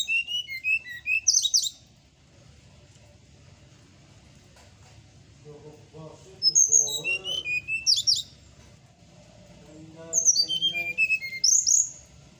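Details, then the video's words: A bird's morning song, offered as tutoring for caged songbirds that stop singing: three bursts of fast falling whistles and sharp chips, each about two seconds long with pauses between, and softer mid-pitched warbling notes underneath. "suara srdc di pagi hari"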